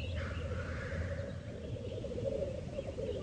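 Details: Black grouse at the lek: a continuous low bubbling, cooing murmur runs steadily through the recording, with a faint hissing sneeze near the start.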